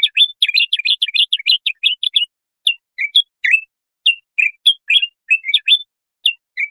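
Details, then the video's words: Bulbul singing, played for tutoring goldfinch chicks or hybrids: a rapid twittering run lasting about two seconds, followed by scattered bright chirps and short two-note phrases; quiet background. "تغريد طائر البلبل ،للتسميع صغار الحسون"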